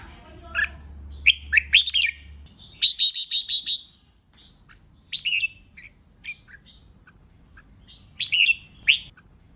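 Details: Red-whiskered bulbul performs 'hót ché' fighting song to stir rival birds into singing. Lively phrases of clipped, liquid notes include a run of five evenly repeated chirps, with a low hum underneath early on.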